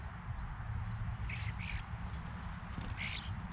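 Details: European starlings visiting a backyard feeder, filmed with a GoPro: a few soft, grating call notes in pairs and one thin high whistle, faint against a constant low rumble.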